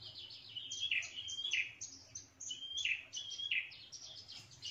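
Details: Prinia calls used as a trapping lure: overlapping high whistled notes and buzzy downward chirps repeated in an uneven, busy series against a quiet humming background.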